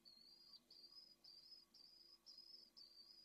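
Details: Young pallid swift at its nest-crevice entrance before dawn in Jerez de la Frontera, Spain, 2022, close to fledging, gives six harsh, buzzy, high screams in about three seconds, each slightly falling in pitch, over a faint low hum.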